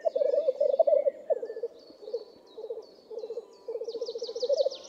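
Black grouse give a low, dove-like bubbling in rapid runs of pulses, pausing and restarting every second or so. Thin, high chirps from other birds sound above.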